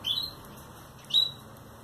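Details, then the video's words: Red mosaic canary chicks, still yellowish and white before their moult, calling at their first feeding: two thin, high upslurred squeaks about a second apart over a soft background hiss. "Vermelho mosaico primeira alimentação"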